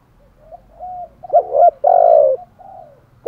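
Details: Spotted dove kept as a decoy, cooing to draw in wild doves; faint murmuring notes build into a short doubled coo and then one long, full, resonant coo, followed by a soft trailing note.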